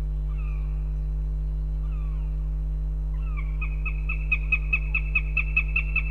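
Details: Female northern goshawk calling for her partner in Riga, Latvia, February 18th: two drawn, downslurred wails, then a rapid, even series of about eleven sharp kek notes, with a constant low hum beneath.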